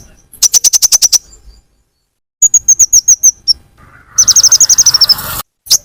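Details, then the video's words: Lure call of a purple-throated sunbird (kolibri ninja) for drawing in birds: quick runs of high, sharp chips, repeated roughly eight times per second, with a faint rushing noise under the last run. "Pancingan konin paling ampuh full suara pikat burung Kolibri ninja"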